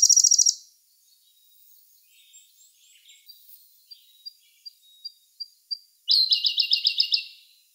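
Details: Siberian blue robin singing in May 2021, Sony A1 camera: a loud trill ends, followed by a quiet series of thin high notes that grow louder, then another loud, rapid, rattling trill.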